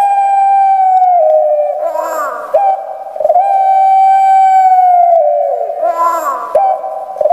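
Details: Barbary dove of the puter pelung kind kept in Indonesia, with a shrill, thin voice. Long drawn tonal coos alternate with short rough, gurgling bursts, giving a repeated pattern of grating start and held note.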